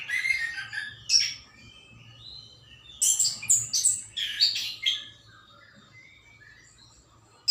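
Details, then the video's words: Morning birdsong with clusters of bright, very high chirps and twittering notes in several loud bursts, separated by quieter stretches, over a soft low background rumble. "kicau burung pagi hari"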